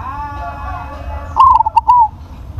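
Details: One stuttering coo phrase from a big-voiced crossbred zebra dove, a quick run of clipped mid-pitched notes finishing with a longer coo, against low background noise.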